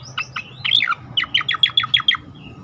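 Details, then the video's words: Striated grassbird song in 'tembakan' style for training caged birds: a few high thin notes, a dense burst, then a steady run of about eight evenly spaced, sharp downslurred chips. "khass tembakan cicakoreng untuk masteran dan pancingan bunyi burung lain"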